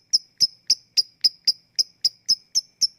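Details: Lovebird ticking, known locally as "ngetik", played as a lure to get lazy lovebirds to start singing: eleven sharp, high, dry ticks at an even pace of about one every quarter second, with no other sounds.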